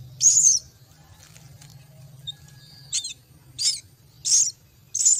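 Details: Myna chicks being fed at the nest give harsh, high-pitched hissing begging bursts, a long one at the start, then four short rasping bursts about every two-thirds of a second, over a low steady hum.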